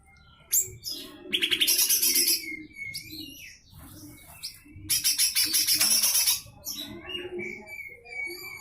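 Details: Lesser green leafbird singing full harsh rattling song used to tutor other songbirds. Two strong bursts of rapid grating notes alternate with short whistles and squeaky slurred notes. Faint low hum underneath.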